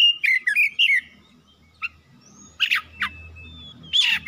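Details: Oriental magpie-robin, a lure song to make other birds sing; quick looping whistled notes open, then a long near-silent stretch broken by a few isolated scratchy chips and a thin high whistle.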